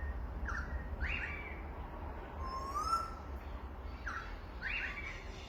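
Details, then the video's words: Birds in Australia giving clear swept chirps about every second, plus one thin rising whistle and a brief high trill in the middle, over a low continuous hum. "Australian birds chirping"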